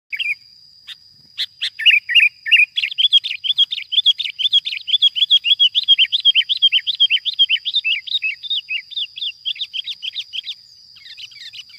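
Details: Wild sooty-headed bulbul caught on a glue-stick trap, giving a long burst of rapid, chattering chirps, several per second, with a steady high whine running throughout.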